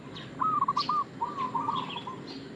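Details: Local zebra dove giving an active lure call used as bait, two rolling cooed phrases of rapid, slightly rising notes around one second each, with faint high chirps from other birds behind.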